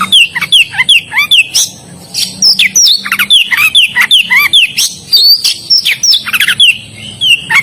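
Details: Oriental magpie-robin pouring out a dense, varied song of sweet whistles, downslurred notes and sharp chips in quick succession, over a faint steady low hum.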